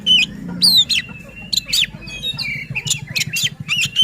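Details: White-rumped shama song for stirring other shamas: loud whistled slurs and upward sweeps alternating with clipped chip notes, over a low steady hum.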